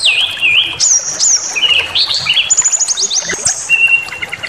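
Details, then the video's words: Brown-chested jungle flycatcher in aggressive lure song: wavering whistles sliding up and down, then a rapid stuttering run of high clicks and a long level whistle at the end. "Pancingan Emosi SRDC Awas Ikut Ngamuk Bongkar Materi"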